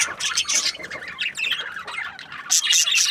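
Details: Budgerigars from breeding pairs chattering together, with overlapping shrill chirps and scratchy warbles that swell in bursts, loudest near the start and again in the final half second.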